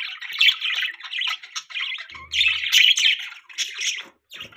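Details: Pet budgerigars in the morning chirp and warble in a busy, scratchy chatter of quick high notes.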